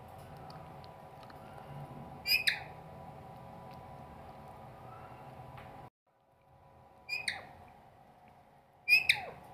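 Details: Pet parrot in a house, said to talk, giving three short harsh squawks with rising-falling harmonic sweeps, spaced a few seconds apart over a steady low indoor hum.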